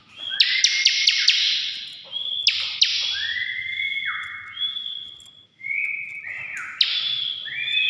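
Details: A bar-winged prinia in full, lively song, recorded as a lure for other birds, gives sharp ticking chips, then long, thin, high whistles that slide and step downward, repeated in bursts every few seconds.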